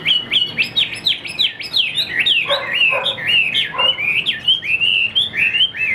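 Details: Chinese hwamei kept as a songbird, delivering a rapid, rich string of loud whistled notes that sweep up and down, with some harsher chattering notes mixed in. The song continues without pause.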